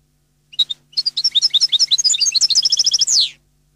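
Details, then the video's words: Goldfinch song in the Neapolitan style from a CD: a pair of opening chirps, then a fast string of liquid high twitters shifting into a regular trill and closing on a long descending buzz; faint hum. "canto cardellino CD Napoletano jilguero canto"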